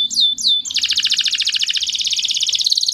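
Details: Canary song meant to stimulate females for mating: a few downward-sweeping high whistles, then a long fast buzzy trill of rapid repeated notes, about 214 per minute, loud and continuous with faint low background hum.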